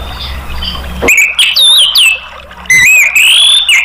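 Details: Orange-headed thrush song used to coax other caged birds into singing: a quiet, low-rumbling first second, then loud whistled phrases sweeping up and down, a brief pause, and a bright run of rising and falling whistles.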